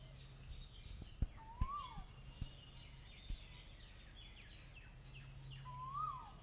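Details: Asian koel giving two separate whistled notes that rise and then fall, several seconds apart, among faint chirps from other birds and a few soft knocks.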